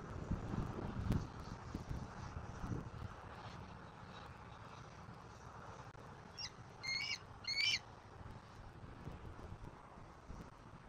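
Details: Bald eagle on a live nest camera in Southwest Florida, 29 October 2024 at 18:41; three quick clusters of high, piping, chattering notes near the end, over low rumbling background noise.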